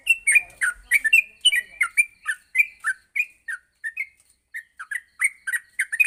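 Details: Yellow-vented bulbul morning song, a tutor recording for training other bulbuls to sing rapidly: quick run of short, bright chirped and slurred notes, partly rising, with a brief pause before the notes resume.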